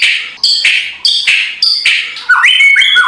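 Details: Shama song meant to rouse a lazy bird to sing, with harsh crackling: four rough, buzzy bursts in steady rhythm, then clear whistled notes leaping between pitches.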